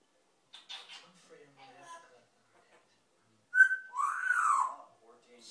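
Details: Three-year-old African grey parrot kept as a pet indoors, talking with its owner: soft scattered murmurs, then a sharp pure whistle followed by a loud rising-falling squawked phrase, with a woman's voice nearby.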